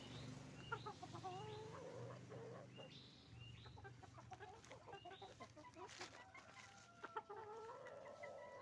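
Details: Chicken farm noise from roosters and hens: many overlapping clucks and rising squawks, some drawn-out wavering calls, repeated roughly twice a second, over a low droning hum.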